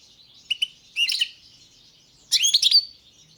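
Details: Balkan European goldfinch, subspecies balcanica, in song: two quick high chirps, then a liquid twittered phrase, a pause, and a longer, louder run of tinkling, rapidly changing notes with a short whistled tail.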